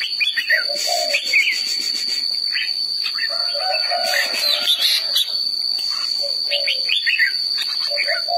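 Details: Red-whiskered bulbul singing: short, bright whistled phrases in bursts, some sliding upward, alternating with lower mellow warbled notes, with pauses between phrases. A steady high-pitched whine runs underneath throughout.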